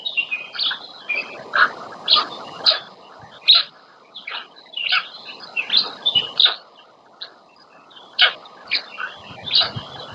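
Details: Black stork female feeding chicks on the nest, Łódź region of Poland, 27 May 2020; short rasping high notes tumble in irregular clusters throughout, some louder than others.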